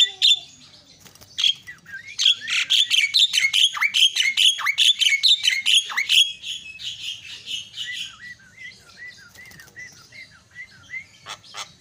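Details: Myna recording used to spur silent mynas into calling: long bout of loud, scratchy, rapidly repeated chatter and squawks, fading into soft repeated whistled notes.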